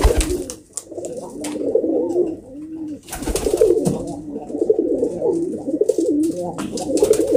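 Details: Several kept pigeons, called kobutor, cooing together indoors: dense, overlapping low rolling coos with wing rustles and sharp knocks throughout.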